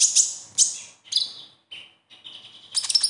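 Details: Konin sunbird besetan, a lure to get captive konin singing regularly: sharp, high chirps alternate with buzzy slurred notes dropping slightly in pitch, then ending in a quick flurry of scratchy twitters.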